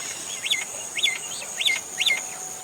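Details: Indian common myna calling: a looping, whistled phrase that rises and falls, repeated four times about every half second, over a steady high insect-like hum.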